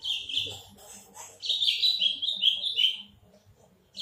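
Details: Big-bodied Horsfield's bush lark gives a loud, run-on twittering phrase of rapid chirps that dips slightly in pitch near its end, after a softer opening phrase; faint low voices in the background.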